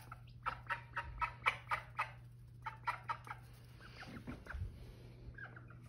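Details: Mother call duck with her new babies, giving rapid, fairly even runs of short quacking notes, about four per second, in two bursts with a pause between, then softer scattered sounds.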